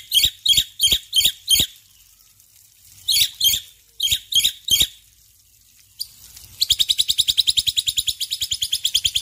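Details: A male black-winged myna sings in the morning. It gives loud, harsh, evenly spaced chirps in two groups, then a long rapid rattle of pulsed high notes at a steady pace.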